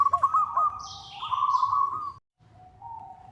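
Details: Local zebra dove calling to a rival, a call used as a lure: a rapid stuttering run of notes merging into a sustained purring trill, a brief pause, then a softer steady tone, with faint high buzzy sounds behind.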